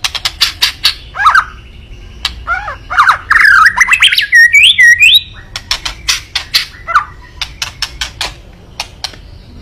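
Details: White-rumped shama song meant to provoke a rival: loud harsh crackling clicks repeated, a burst of rapid rising slurred whistles mid-clip, then scattered clicks and a short slurred note, over a faint low hum.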